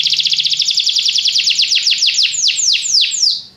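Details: Canary song made of loud, quick descending sweeps repeated several times a second, slowing slightly and spreading out toward the end of the phrase.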